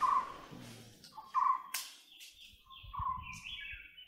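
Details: White-bellied woodpecker: loud, clear notes near one pitch, each about a quarter-second long, repeated irregularly, with a fainter higher tone trailing at the end and some low rumbling background noise.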